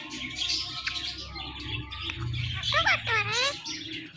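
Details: Morning calls from a pet Indian ringneck parakeet couple, male and female. Faint chirping over low rumble, then two clear descending harmonic calls in quick succession late in the recording.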